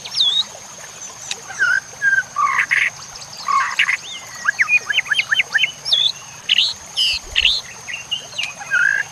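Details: White-rumped shama singing in a training recording for other shamas, with nature sounds and trickling water: varied rich whistles, looping slurs, harsh buzzy notes and quick chip series in lively bursts, with a steady high whine throughout.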